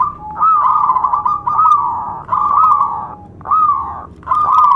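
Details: Local zebra dove singing loudly as a lure to excite other doves and prompt silent birds to sing; five rolling, slightly rising-then-falling coos about one second apart, each with a brief purring flutter.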